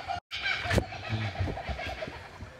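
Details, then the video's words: Kookaburras in a botanical garden near Buderim, Queensland, Australia, 15 August 2013, break into a cackling chorus, one starting then others joining: rapid repeated chuckling notes from several overlapping birds over low outdoor rumble. "And there goes our kookaburras. You hear them?"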